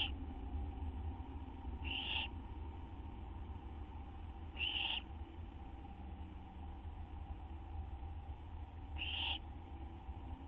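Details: Owl nest shortly after midnight on 6 September 2011, a treat being brought in; three fairly quiet, scratchy screeches roughly every three to four seconds against a persistent low hum.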